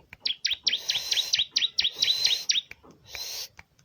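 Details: Ciblek, the bar-winged prinia, singing to spur others to call: a fast, even string of about a dozen sharp high down-slurred chips, then a softer buzzy burst.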